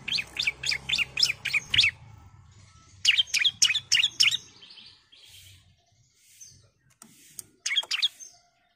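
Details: Female bar-winged prinia calling the male: bursts of sharp, high chirps in quick runs of five or six, then a pause and another run, with a few scattered thin notes after.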